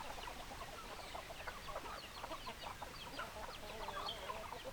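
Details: A flock of hens and roosters clucking: dense, rapid, overlapping clucks and chattering notes from many birds, running continuously with no pauses and a faint low hum underneath.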